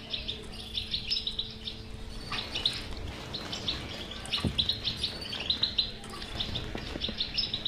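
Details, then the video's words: Goldfinch bitbita song for stirring a silent European goldfinch to sing: lively chattering trills and sharp twittered notes in uneven runs, a faint hum and a few low knocks behind. "هذه البتبته الحل وعلاج الحسون الصامت بتبته اجرام"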